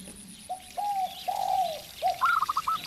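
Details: Local zebra dove singing beside a spotted dove lure: three smooth, slurred coos rising in length, then a quick rattling run of bright, clipped notes.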